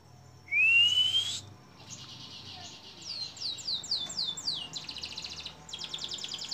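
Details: Canary song on a long-duration training recording for songbirds: a loud rising whistle, then a string of quick descending chirps and fast buzzy high trills.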